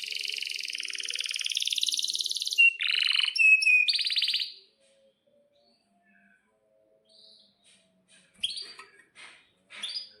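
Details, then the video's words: Canary song used as a lure to get young or silent canaries singing. A dense buzzy roll leads into short clipped trills over about four seconds, followed by near silence with a few faint, scattered chirps. "suara kenari gacor panjang AMPUH,, PANCINGAN KENARI AGAR BUNYI JADIKAN BURUNG KENARI GACOR Seketika"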